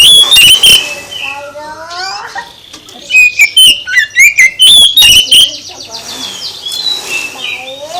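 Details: Oriental magpie-robin song for provoking a reply from other birds, heard as a nearly continuous stream of bright whistles, downslurred notes and scratchy chips, with softer bird twittering underneath.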